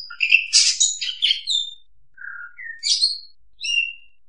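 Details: Oriental magpie-robin lure song for trapping: a burst of scratchy, chattering notes mixed with whistles, then a low, soft short note, then separate clear whistles and a final high, level whistle.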